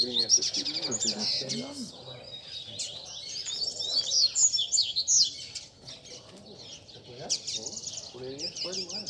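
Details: Several caged double-collared seedeaters (coleiros) singing together at a Sunday gathering of bird keepers, a chorus used to warm up a competition bird: overlapping high, rapid twittering and whistled phrases, with faint lower murmurs underneath.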